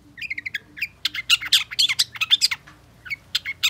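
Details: Energetic long-tailed shrike song meant to get a silent bird singing again: short high chips, then a dense stretch of harsh buzzy and scratchy notes, ending in scattered chirps, over a faint low hum.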